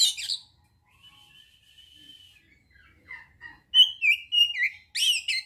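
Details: Oriental magpie-robin singing, played to stir arousal and aggression: a sharp opening burst, a long thin sustained whistle, then rapid varied chirps and slurred whistles.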